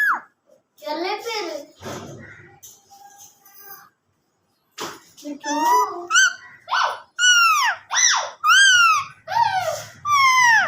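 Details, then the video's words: A green Indian ringneck parakeet talking, mimicking Urdu and Hindi; first muffled speech-like syllables, then after a pause a string of loud, clear whistled phrases that rise and fall, about one every second. "Parrot talking Urdu and Hindi"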